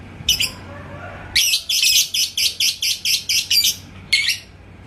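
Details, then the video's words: Yellow pied lovebird ('labet koneng') from Indonesia, singing to goad a rival: a string of about ten harsh, raspy chirps spaced evenly, bracketed by a single squawk before and another after. "LABET KONENG Burung GACOR ke Pancing NGEKEK"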